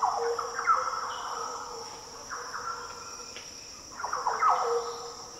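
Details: Green Orioles singing in the Daintree rainforest of tropical northern Australia: two clusters of mellow, warbled fluty notes with downward slurs, separated by a quieter pause, against a steady high insect whine.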